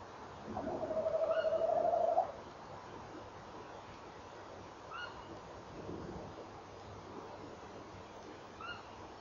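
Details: Tawny owl pair at 06:45 on 18 November 2013, the male giving his rolling trill and the female encouraging him. One steady, quavering low trill lasting about two seconds, followed by several brief, faint, higher answering calls.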